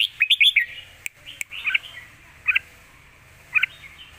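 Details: Red-whiskered bulbul kept in a cage, delivering the Lak Wai song style as a complete master song for training young birds: a fast cluster of bright whistled notes, then short chirped phrases spaced about a second apart.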